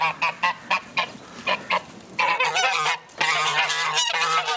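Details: Joyful geese let out of their house in the morning give a series of short evenly spaced honks, then a dense, loud, continuous chorus of overlapping nasal calls.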